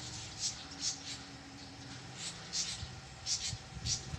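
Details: Fantails fighting noisily, recorded 4 April 2023. Short, high, squeaky chirps come in small bursts, about eight over four seconds, fairly faint over a steady low hum.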